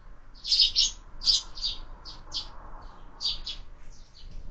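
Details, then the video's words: Sparrows at a window-mounted feeder during breakfast, with year-round feeding: short bright chirps in loose clusters of two or three, spaced irregularly over quiet background hum. "Воробьи в кормушке - завтрак"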